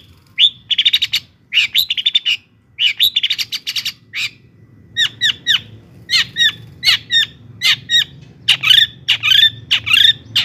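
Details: Long-tailed shrike singing, a lure meant to rouse other shrikes into emotional, energetic song: harsh squawky bursts in clusters, then a steady series of sharp downward-slurred notes roughly twice per second.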